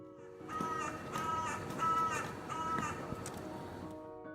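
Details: A carrion crow in the UK gives one of its most common calls: four harsh, rasping caws, spaced a little over half a second apart, over soft background music.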